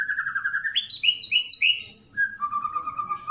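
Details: Captive White-rumped shama of the pastol type, kept for mental training, sings a run of clear whistled notes that step upward, then a quick string of slurred high notes and finally a long steady low whistle.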